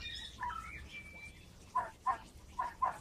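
An Australian magpie runs through a few thin, gliding whistles, then gives four short, hoarse bark-like yaps in quick pairs, a copy of a dog barking.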